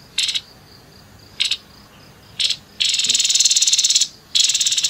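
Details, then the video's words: Three brief scratchy bursts about a second apart lead into a long, rapidly pulsed harsh rattle and another short one, the rough 'nembak kasar' song of a grey-headed babbler. "TEPUS KEPALA ABU ABU NEMBAK KASAR"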